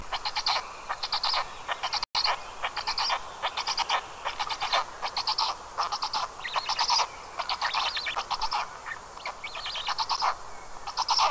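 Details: Nestling black storks on a camera-monitored nest in Karula National Park, Estonia, evening of 29 May 2022, giving two different voices: a nearly continuous stream of grating, buzzy pulses in short stuttering volleys with few pauses.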